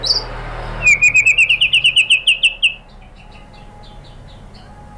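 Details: White-rumped shama (murai batu) lure song meant to make other birds reply: a high short note, then a rapid string of about fourteen clipped, slightly rising chirps over two seconds, fading into quiet background hiss.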